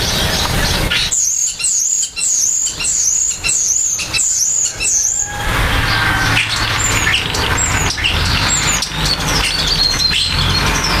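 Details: Common starlings during nesting and nest building: a bright, high whistled note with a hooked end repeats about every half second for five seconds, then scattered thin whistles and clicks over a steady low rumble.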